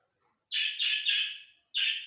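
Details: Grey francolin (teetar), Dakhni type, in a breeding session: loud harsh rasping notes, three run together in a quick grating phrase, then a short pause and one more note, over a silent background.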